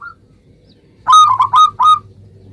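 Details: Lively local zebra dove singing to draw replies from other zebra doves: one faint note, a pause, then four loud, ringing coo notes in quick succession, the first two running close together, over a steady low background hum.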